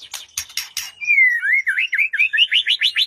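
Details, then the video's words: White-rumped shama song used as a lure to make a silent bird sing, morning or afternoon: four harsh rasping bursts, then a long whistled note sliding down into a quick, evenly repeated trill of upward-flicked notes. "Murai Batu Diam Dengar Kicauan ini Seketika Langsung Nyaut GACOR"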